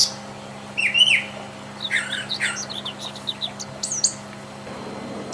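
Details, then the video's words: Free-living Brown Thrasher with varied song phrases: a loud downslurred whistle, then clusters of quick chirps and twitters and a high upswept note near the end, over a soft continuous hum. "Seribu kicau..!!"Brown thrasher"Burung termahal.Gacor di Alam liar."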